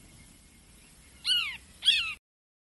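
A Blue Jay gives two harsh, nasal jeer notes about half a second apart, each arching up then dropping, over a faint low rumble.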